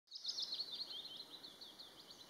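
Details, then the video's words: Willow warbler in spring 2020 at Sutlepa, western Estonia, sings a soft, sweet run of high whistled notes that tumbles gradually downward, with faint background hiss. "Willow warbler (Phylloscopus trochilus)"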